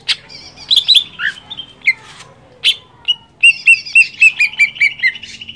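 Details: Greater green leafbird singing in captivity to stimulate a rival leafbird: varied whistles, squeaky slurs and sharp clicks, then a quick series of about eight ringing chirps descending gently at the end.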